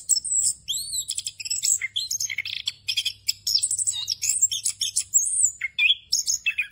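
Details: Rolling 'ngerol' song of an orange-headed thrush, full of borrowed phrases, meant for training other thrushes. Very high, dense chatter of sharp chips, buzzy bursts and brief downslurred whistles, delivered nonstop with a faint low hum beneath.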